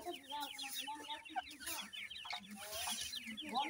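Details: New-season Grey partridge chicks with their parents fill the air with a dense chorus of high, thin, overlapping peeping chirps, with a few lower clucking notes underneath.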